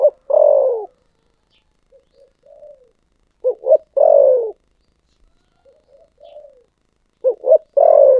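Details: Spotted dove in the thổ sấm singing style, repeating its phrase about every 3.5 seconds. Each phrase has faint soft coos, two short clipped notes and a loud, throaty, falling final coo. The background is clean.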